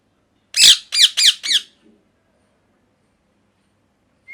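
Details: Indoor pet parrot in molt: four loud raspy squawks in quick succession, slightly falling in pitch, then quiet except a short thin whistle at the very end.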